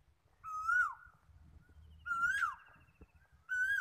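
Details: Asian koel calling: clear whistled notes that rise and then drop sharply, each about half a second long, given three times roughly every one and a half seconds, with faint low rumble beneath.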